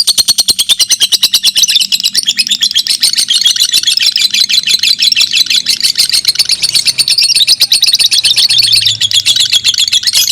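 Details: Fighter lovebirds, two of them, in a long-duration contest deliver a loud, sustained high trill made of very rapid repeated clicks, unbroken for the whole stretch.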